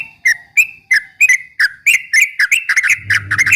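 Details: Yellow-vented bulbul (trucuk ropel) song to provoke rival birds: chirpy whistled notes that start spaced apart and quicken into a busy run, with a faint low hum near the end.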